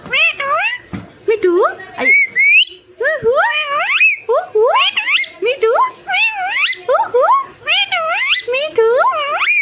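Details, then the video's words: Pet talking parrot mimicking human voices and making funny sounds: a rapid series of warbling, speech-like phrases with swooping rising and falling tones, loud and clear in a quiet small room. "Talking Parrot!❤️ Funny Bird Sound"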